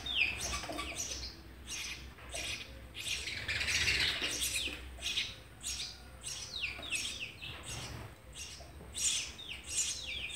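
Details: Sparrow family being fed, June 2020: rapid, insistent high chirping, notes tumbling over one another about every half second, one brief harsher squawk mid-way, steady and loud throughout.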